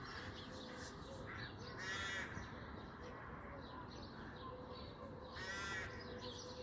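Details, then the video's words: Crow on a clear Sunday morning giving two harsh, hoarse caws roughly three and a half seconds apart over a steady low background hum and faint outdoor noise. "Crows, Seagulls, Tits singing on a clear Sunday morning"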